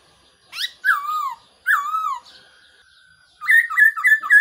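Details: Lure calls of a black-throated laughingthrush used in trapping: two long, wavering whistles sliding downward, a pause, then a lively burst of five quick chirping notes.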